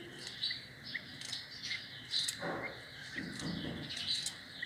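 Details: Grey francolin chicks feeding on mealworms, sometimes fighting over worms; faint high thin chirps and peeps scattered throughout over steady background noise, with soft rustling and pecking sounds.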